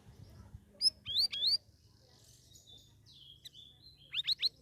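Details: Captive straw-headed bulbul, taken from a shared aviary, singing vigorously in its second week: sharp rising whistled chirps in quick pairs and triples, a thin sustained whistle in between, then a fast burst of three rising notes.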